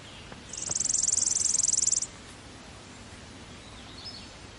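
A Chipping sparrow gives one dry, rapid, high trill of even pulses lasting about one and a half seconds, over a quiet outdoor background.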